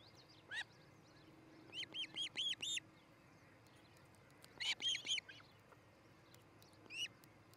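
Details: Osprey at a Montana nest near Charlo, filmed on July 13, 2018: short clusters of three to four whistled, slurred chirps separated by pauses of a few seconds, over faint hum and distant high ticks.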